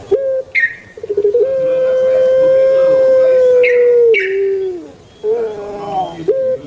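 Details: Kept puter pelung dove, Indonesia, giving the long 'kwok' call: a short note, a quick pulsed stutter, then an unbroken level hoot for nearly three seconds that slides down, followed by a wavering coo and another short note.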